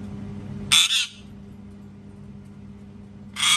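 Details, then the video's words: Loud parrot screams: a harsh, grating double screech near the start, then a long pause over low background hum, and another raspy scream beginning at the very end. "PARROT SCREAMING TOO LOUD | PARROT SCREAMING SOUNDS"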